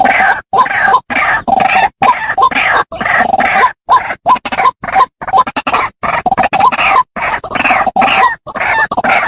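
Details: Trapping lure of a White-breasted waterhen: rapid, rough, grunting calls delivered in quick succession with short pauses between bursts, each phrase carrying a brief rising squeak.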